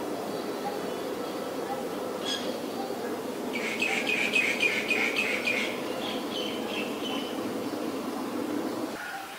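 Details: Female Asian koel calling a fast series of clipped, bright notes over about two seconds, trailing into softer repeated notes, with a steady low rumble and faint distant chirps behind.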